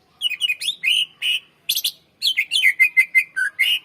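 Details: Greater green leafbird in continuous long song, used as a master recording to coax and train young birds: rapid chattering whistled phrases, a brief pause, then a quick run of evenly repeated sharp notes ending in a rising whistle.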